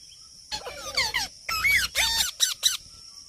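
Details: Talking parrot using its natural voice: bursts of squawky, warbling syllables with sweeping up-and-down pitch, grouped in short phrases separated by pauses, over a steady high-pitched background whine.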